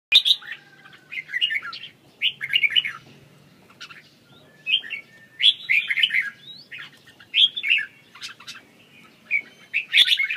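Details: Red-whiskered bulbul singing: short bright whistled phrases, warbling and slightly rising, given in bursts roughly every second with brief pauses, over a quiet background.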